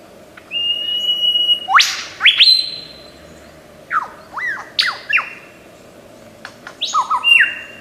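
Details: Mimicking Australian forest lyrebird giving long level whistles broken by sharp upward-snapping notes, then pauses and clusters of quick hooked whistles and rising slurs.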